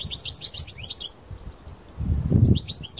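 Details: High, sparkling twittered phrases from a Parva European goldfinch singing strongly in the open countryside open and close the sequence, separated by a quiet gap filled by a low gust of wind.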